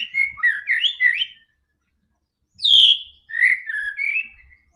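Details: White-rumped shama song to set off a quiet bird: a quick twisting run of whistles, a long silence, then a loud high note followed by lower, mellow whistles.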